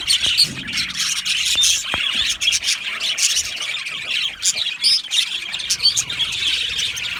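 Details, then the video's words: Australian budgies kept as an aviary colony, harsh squawking mixed with rapid high warbled chirps from many birds, loudness pulsing irregularly throughout. "Budgie Chirping Sounds"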